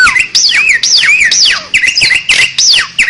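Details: Asian pied starling singing on a lure master recording: dense, loud song of swooping whistles that rise then drop, each phrase repeated about every half second with harsh buzzy overtones.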